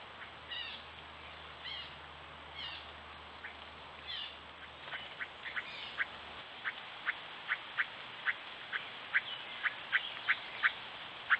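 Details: Gray catbird at a stone wall in woods of Strafford County, New Hampshire, on trail camera, among courtship and mimicry behaviour: nasal, slurred cat-like mews about once a second, then a quickening run of sharp, dry clicking notes.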